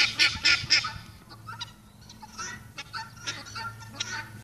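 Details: Pearl guineafowl (Helmeted guineafowl) on a sunny day give harsh, grating calls, three loud bursts in quick succession, then softer repeated chatter, over a low steady hum.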